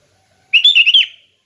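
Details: Loud, close single phrase of sooty-headed bulbul song in relaxed 'ngeplong' style: a fast, liquid string of five warbled notes that wobble up and down, ending with a short falling note.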